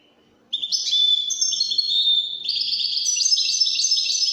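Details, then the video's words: Continuous Moroccan Widani song from a European goldfinch of the Widani type: after a brief pause it bursts into an unbroken stream of high, bright, buzzing-edged twitters and fast trills. "الحسون الويداني الملك الذي يستحق استماع وتمتع في ادائه في التغاريد الويدانية المغربية"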